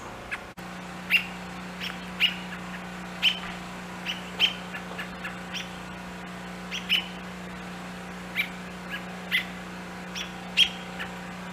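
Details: American robin fledgling fallen from its nest, being fed by both parents who call nearby; sharp high chirps repeated roughly once a second over a steady low hum.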